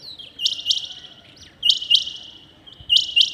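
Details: Rain quail calling at dawn with three clear bursts of doubled, clipped high notes, each pair about 1.2 seconds after the last, in a quiet setting.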